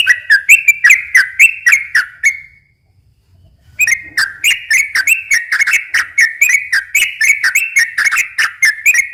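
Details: Sooty-headed bulbul singing slow and long rolling phrases to draw in other bulbuls; rapid whistled notes, a pause of over a second, then a longer continuous run of bubbly whistles.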